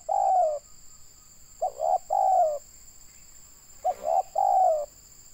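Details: Local spotted dove from Indonesia, kept for decoy trapping, described as having a big voice. Gives soft hoarse coos: short notes and longer sliding phrases, repeated in groups about every two seconds. A steady high electrical whine runs throughout.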